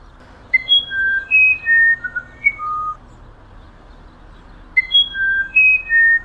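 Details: Musician wren, known as violinero or wirapuru, famed for its elaborate song: two phrases of clear, pure whistled notes jumping between high and lower pitches, the descending sequence repeated after a pause of nearly two seconds.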